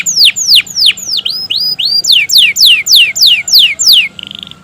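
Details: Canary in full, continuous lure song used to prompt other canaries into singing: loud, clear, steeply descending whistled notes repeated rhythmically about three per second, ending in a short buzzy note.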